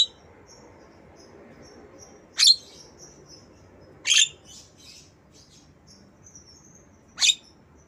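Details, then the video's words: Black-winged myna imitating a lovebird for use in tutoring mynas and lovebirds; three harsh, abrupt screeches spread over several seconds, separated by faint, high, wavering whistles and twitters. "Jalak kebo Suara Lovebird"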